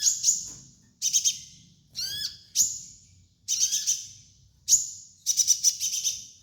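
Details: Sunbird training master: bright, very high chirps in rattling clusters, with one phrase of falling slurred notes, the bursts coming about once a second.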